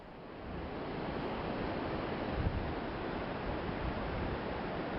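Continuous roaring surf and wind buffeting the microphone fill the recording, with no animal calls audible.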